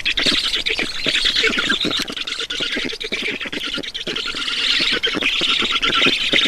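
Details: Black storks being fed at their nest in Estonia on 10 June 2019, 12:52; rapid, scratchy squawking pours out almost without break, rough and noisy in texture.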